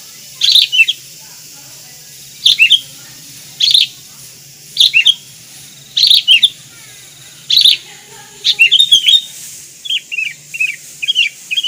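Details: Sooty-headed bulbul (kutilang) repeating a short bright liquid phrase roughly every one to two seconds, ending in a quicker series of softer chirps.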